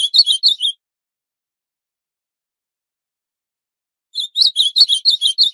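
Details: Northeastern ultramarine grosbeak singing steadily: the tail of one high warbled phrase, a silent gap of over three seconds, then a fresh quick run of about ten bright notes.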